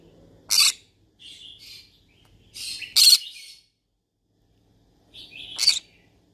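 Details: Yellow-sided conure calling out for friends to talk to: loud harsh squawks about every two to three seconds, each followed by softer buzzy chirps, with quiet between.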